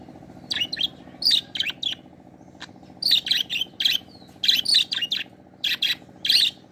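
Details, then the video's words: Pet budgerigars giving bursts of bright, chattering chirps in short clusters, some notes rising and falling, separated by brief pauses over a steady low mechanical hum. "বাজরিগার পাখির ডাক"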